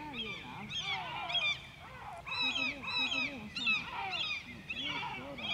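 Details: White-tailed eagle (Haliaeetus albicilla) at Grönvik, Ornö, on 16 July 2024 gives bursts of harsh, yelping, gull-like notes in quick runs, repeated about every second, with a faint outdoor background.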